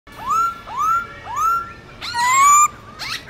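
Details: Black-throated laughingthrush singing in wild-voice style, a recording meant for training young birds: three rising, slurred whistles at about half-second gaps, then a brighter, harsher whistled phrase with rich overtones and a short rasp at the end.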